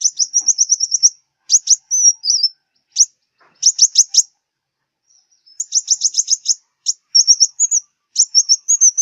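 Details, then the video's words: Sunbird of southern Vietnam, the local five-colour sunbird, sung for luring birds to glue traps: a fast trill of tiny high ticks, broken groups of sharp chips and wavering whistles, repeated in bursts across the clip. "Tiếng chim hút mật 5 màu miền Nam"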